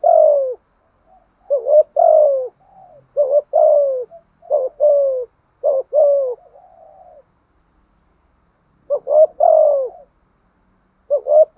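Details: Spotted dove performing a patterned urging coo that other doves answer; a long series of paired low hoots, short note then longer falling coo, with a pause midway before the pairs resume.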